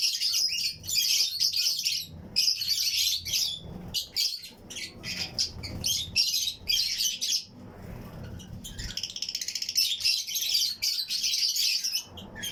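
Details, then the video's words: Colony of Fischer's and lutino lovebird pairs in a flight aviary, chirping and singing along with nearby birds; dense overlapping shrill, buzzy chirps come in long bursts with brief gaps, ending in a fast stuttering run of notes. "Fischers & Lutino Colony Chirping Sounds"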